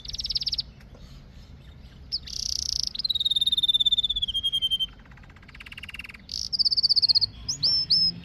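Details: Canary singing buzzy bursts and a long descending trill of rapid high notes, followed by rolling phrases and a few swept chirps at the end.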